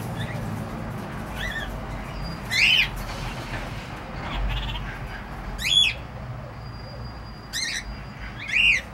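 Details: Cockatiels calling with loud, harsh screeches roughly every three seconds, each a rising-falling squawk, softer chirps between.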